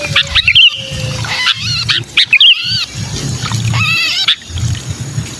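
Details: Sooty-headed bulbul giving a pinched distress call, kutilang kejepit, used as a lure for wary bulbuls: harsh, raspy squawks with stacked harmonics and brief overloaded bursts, over a steady low rumble of handling noise.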